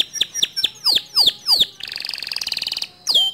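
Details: Male canary with white plumage singing: several loud down-slurred whistled notes, then a dense buzzy trill held for about a second, ending on one more swooping whistle.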